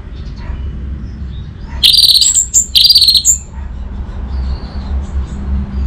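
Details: Orange-headed thrush singing, used as a lure for birds that have stopped singing: one short, high, buzzy twittering burst lasting under two seconds, surrounded by quiet with a steady low rumble underneath.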